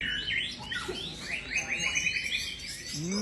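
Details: Champion white-rumped shama singing a rich, varied run of fast whistled phrases, many sliding quickly up or down, with scattered trills and a brief low sliding sound near the end.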